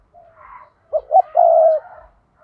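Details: Faint, soft cooing, then a clear spotted dove phrase of two short hollow coos and a long sustained coo, from a lure bird whose 'thúc' call is meant to entice wild doves into traps.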